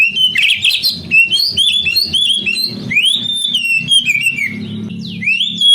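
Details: Whistled oriental magpie-robin song used to urge young canaries into singing. A harsh chattering opening gives way to varied looping whistles and a long rising-and-falling note, over steady low background hum.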